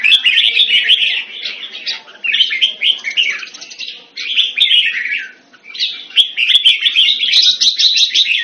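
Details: Red-whiskered bulbul, a cage bird kept in Singapore in the Thai manner, February 2018: a rapid stream of chirpy, slurred whistled notes in clustered phrases, with a brief quiet gap midway and a low hum behind.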